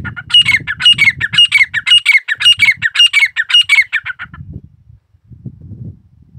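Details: Grey partridge kept as a pet, giving a harsh, squawking call of rapid grating notes repeated about twice a second for four seconds, then low rustling and handling noise.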